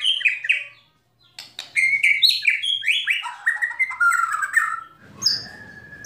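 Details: Oriental magpie-robin giving rattling calls and sharp 'shot' phrases meant to rouse other birds into singing: a rich run of varied whistles, sliding notes and crisp clicks, a short break, then dense fluting phrases fading into a low rumble.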